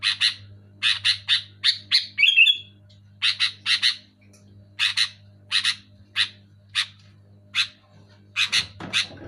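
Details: Kutilang (sooty-headed bulbul) calling loudly and clearly: rasping chirps in pairs and singles with one short twittering trill early on and a brief noisy rustle at the end, over a low hum.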